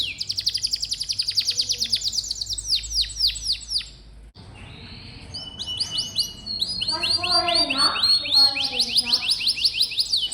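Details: Master song of a canary for coaxing quiet young canaries: a long even trill of rapid pulses, a short pause, then varied clipped whistles and fast ringing trills building in strength.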